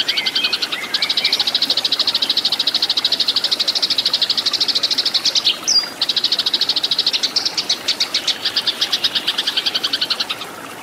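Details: A fighting Eurasian tree sparrow gives a fast, high, buzzy chattering trill almost without a break, with a few brief lower chirps near the start.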